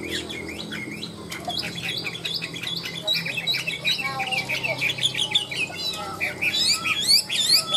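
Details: Caged Chinese hwamei with a ngũ trường style song, said to sing high and fire off like a rifle once hung out: dense run of loud whistled and warbled phrases, sliding notes and rapid chattering trills, growing busier toward the end.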